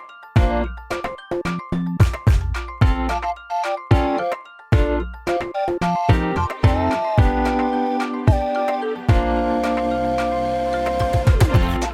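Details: Bouncy, playful instrumental music with plucked notes and chimes, and no animal voice anywhere.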